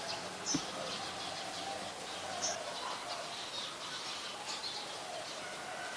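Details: Olive-backed sunbird, a species common in the mangrove forest at a Thai nature centre, giving short, very high, thin chip notes about every two seconds against a steady background hiss.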